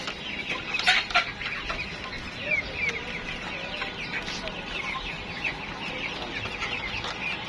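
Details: Chickens on a farm, several birds clucking in a busy overlapping chorus of short clucks and chatter, with a few louder calls early on and steady background noise throughout.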